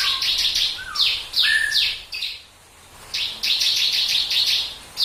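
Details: Bar-winged prinia in "tembakan" rapid-burst song, said to set other birds singing: fast runs of high, sharp, slightly descending chirps, with a few lower whistled slurs, broken by a brief pause midway.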